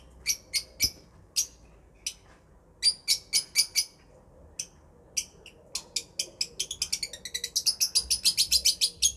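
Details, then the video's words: Lovebird chirping: short, sharp high-pitched chirps in uneven bursts, speeding up toward the end into a rapid run of repeated notes, with a faint low hum beneath. "Love Birds Chirping Sounds"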